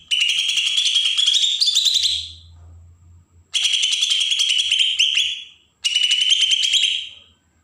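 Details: Agitated song of a Bornean green leafbird from Berau in Kalimantan, used to provoke other birds: three harsh, buzzy phrases of quick trilled high notes with a sustained whistled tone underneath, separated by short gaps.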